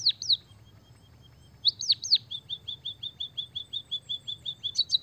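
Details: White-headed munia in full, lively song that includes canary-like phrases: high sharp chirps, then a quick run of short, evenly repeated whistled notes, with faint low background hum.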